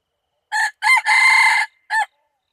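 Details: Full crow of a wild red junglefowl from 24/02/2019: brief opening note, a rising two-part syllable, a long harsh held middle section, and a short sharp final note, loud with no other sounds.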